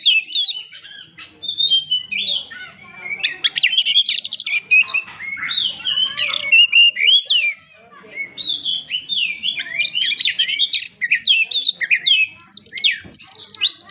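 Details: Lively 'gacor' song of an Oriental magpie-robin, meant to stir a silent one into singing: long varied phrases of sharp whistles, twitters and buzzy slurs tumbling quickly, with brief pauses between bursts.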